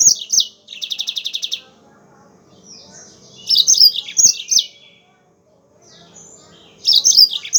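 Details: Yellow-fronted canary singing a bright, high-pitched song: a fast trill of repeated notes, then bursts of jumbled twittering phrases separated by short pauses, with faint low background noise.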